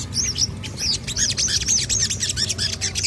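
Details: Crimson sunbird in full voice after hearing an odd sound: a rapid string of high, thin, arched chirps repeated several times a second, with a low hum underneath.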